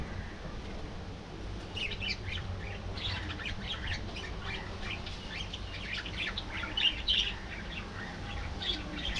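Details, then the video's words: Colony of budgerigars kept in an aviary, many birds chattering at once in a continuous stream of short scratchy chirps and warbles, steady through the clip over low background hum. "Budgie Life: Singing, Gossiping"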